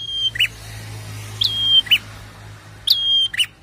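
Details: Prinia singing, offered as a prompt for caged birds: three bright, level whistles, each led by a quick upward flick and closed by a lower chirp, roughly every second and a half, over faint low hum.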